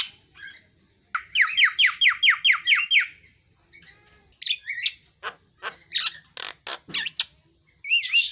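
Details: Javan myna singing a run of about eight quick descending whistled notes, then pauses, clicks and wavering warbled whistles.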